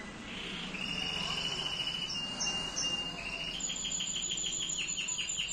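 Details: Male Timbrado canary singing: a rolling trill held at one pitch, then a high sustained whistled note over rapid pulsed rolls, steady and continuous throughout.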